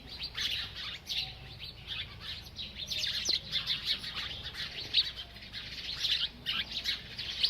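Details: Steady, dense high chirping from a bird while it feeds, a nearly continuous twittering with a few sharper accented notes.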